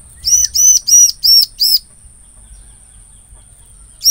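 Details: Bar-winged prinia song used as a lure for trapping: a fast run of five bright, arched, sharp notes about three per second, then near silence with a faint constant high whine and one last note at the end.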